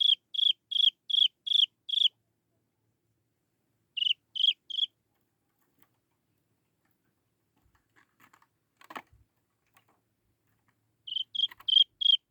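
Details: Young Chinese francolin calling to lure its mother: a fast string of six high downslurred peeps, then three more. A long quiet gap holds faint rustling and a click before the peeping resumes.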